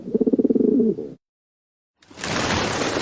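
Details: A pigeon (Columba livia) gives a low, throbbing courtship coo of quick pulses for about a second during mating. After a short silence, a burst of loud rushing noise follows.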